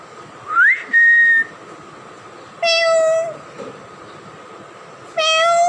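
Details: Tame two-year-old male plum-headed parakeet kept as a pet, which speaks Urdu or Hindi words and whistles: a rising whistle levelling into a steady held note, then two harsh, harmonic-rich voiced calls spaced about two seconds apart, over steady background hum.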